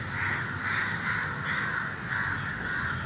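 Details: Four harsh crow caws in even succession, each about half a second long, over a hissing background.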